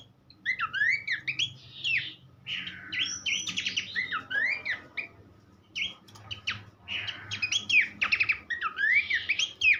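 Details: Horsfield's babbler singing a rich tutor song used for training songbirds: dense run of quick rising and falling whistled notes and chattering bursts, phrases in short clusters with brief pauses, faint low hum behind.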